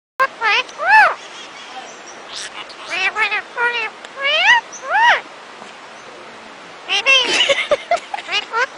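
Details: Two pet rose-ringed (Indian ring-neck) parakeets, which can speak some words, give rapid bursts of short, arched, nasal notes, some speech-like, in quick runs with brief pauses.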